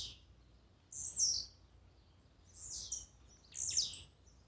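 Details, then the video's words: Blue-black grassquit songs, in a warm-up mix meant to excite a kept bird: three short, high, buzzy notes that sweep sharply downward, spaced about one to two seconds apart, over a quiet background. "Melhor esquente de tiziu,cantos e macheados para enlouquecer sua ave."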